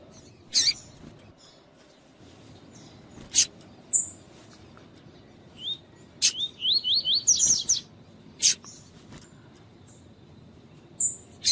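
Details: Double-collared seedeater, tui tui song type used as a tutor for training males, with female calls. Scattered sharp chips and short high whistles surround a single fast run of rising swept notes that climb toward the end.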